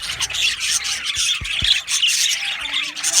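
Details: A budgie colony chatters in an aviary: harsh, raspy chirps and squawky warbles packed tightly together, a few soft low knocks in the background.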